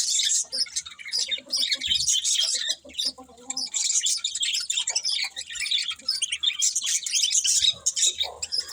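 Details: Budgies chirping in a busy, nearly nonstop stream of squeaky, high twitters and short squawky notes, dipping briefly near the three-second mark.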